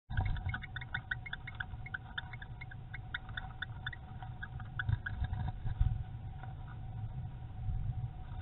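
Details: A pair of pardalotes building a nest with feathers give short, high chirping notes, tightly repeated, over a steady low rumble of wind or handling noise.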